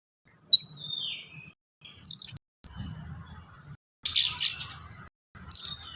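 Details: Kacer, the Oriental magpie-robin, in lively song. Separate loud phrases mix a falling whistled slur, sharp high chirps, and a harsh double burst, with silent gaps between them.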